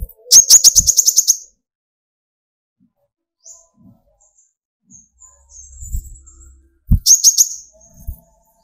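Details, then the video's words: Energetic kolibri ninja (sunbird) song aimed at provoking young speckled to fully metallic sunbirds: a fast, very high stuttering trill, a long near-silent gap with faint distant chirps, then another rapid high burst. "burung konin gacor pancing tembakan konin dari yang trotol sampai full metalik nembak emosi"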